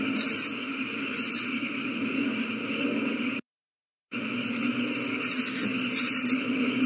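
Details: Several owl babies at feeding time, 27 March 2020. A few raspy hissing screeches, then a brief total dropout of sound, then more screeches including a wavering, trilled one, over a low hum.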